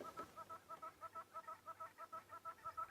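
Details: Very loud hornbills calling in the background on a safari afternoon drive, 11 July 2016: a steady run of short, clucking notes repeated about five times a second, fairly faint and even.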